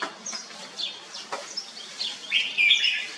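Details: Caged Red-whiskered bulbul: scattered high chirps, then a louder, richer warbled phrase near the end.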